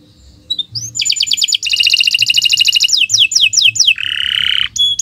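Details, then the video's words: Tutor recording of a canary singing at length: a quick high trill, several sweeping descending whistles, a buzzy lower roll, and a final sharp clear note. "Kicau Burung Kenari 144 II LUAR BIASA GACOR PANJANG"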